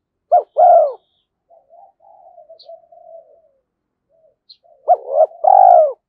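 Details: Spotted dove used as a decoy, calling to incite fighting: a loud short coo and long note, a stretch of soft purring coos, then a loud paired coo ending in a drawn-out note.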